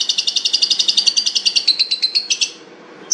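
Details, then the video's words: Long-tailed shrike, called cendet, described as fierce with a luxurious voice, giving a rapid run of high, sharp repeated notes, about seven per second for two and a half seconds, then a short pause and a single note. "cendet jahat suara mewah"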